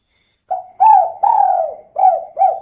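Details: Calling female spotted dove in the 'kuk 2' pattern, used as a lure to make birds sing quickly: one gentle phrase with a short note, two longer bowed coos, then a pair of clipped rounded coos.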